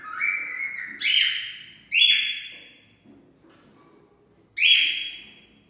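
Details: Cockatiel whistles sung to stimulate mating: four loud, pure whistled notes, each starting sharply then sliding down, spaced unevenly with a quiet gap before the last.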